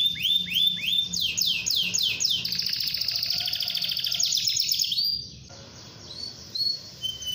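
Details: Lively canary song for provoking rival birds to sing, with loud downslurred syllables about four per second merging into a fast buzzy trill before dropping to softer scattered notes.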